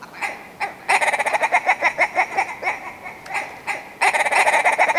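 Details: Willow ptarmigan giving bursts of rapid, nasal, cackling clucks, several loud runs broken by short pauses, the final run strong and fast.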